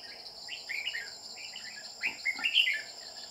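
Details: Red-whiskered bulbul at a trapping site with a decoy bird, after a bell-voiced male: two rounds of clear, chirpy warbled whistles, the second louder and busier, over a persistent high insect drone.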